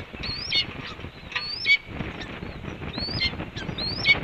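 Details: Female red-tailed hawk calling as she returns to the nest, four high squealing notes that rise then fall, spaced irregularly over a rumbling, breezy background.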